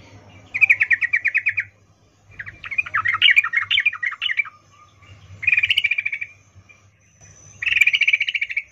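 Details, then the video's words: Female sooty-headed bulbul calling a male with a mating call: four bursts of fast, rattling chattered trills, each about one second long and separated by short silences, with a faint low hum. "Trucuk BETINA memanggil Jantan Suara Birahi Ngecuplik"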